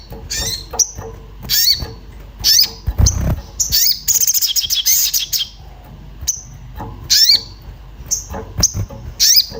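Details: Agitated Orange-bellied flowerpecker calling while looking for a mate, used as a lure to make birds sing: repeated sharp, high, bent-tone calls, a fast ticking trill midway, and short thin whistles between bursts.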